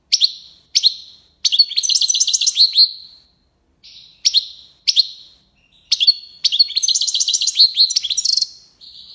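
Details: Goldfinch song of the tiwawati and lipassade type, opening with separate sharp chips, followed by a tumbling run of high twitters and buzzes, more isolated chips, and a final long rapid twitter ending in a rasp.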